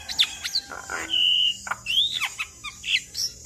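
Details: Javan myna singing a busy gacor song of mixed phrases, with a steady high whistle, a rising slurred note, short chips and a brief harsh burst.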